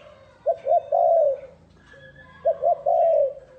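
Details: Spotted dove decoy call to draw in wild doves: two identical phrases, each of two quick short coos and a long drawn-out mellow coo, separated by about a second of quiet.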